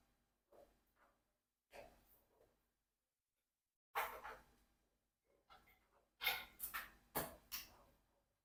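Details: Rocky, a 4-year-old pet Congo African grey parrot, mutters short speech-like phrases while playing with ice, in scattered bursts, some raspy, others clearer, with brief pauses, indoors in a small room.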